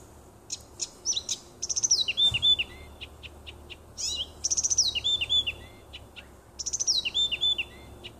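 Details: Nightingale song from woodland on 30 June 2015: three repeated phrases, each with quick ticking notes that run into a cascade of rich, descending whistled slurs, separated by brief pauses.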